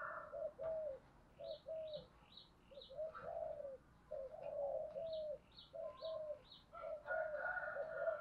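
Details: Decoy spotted dove calling to lure wild doves, repeated soft low coos in short phrases, with high chirping of other small birds and a faint higher tonal note in the background.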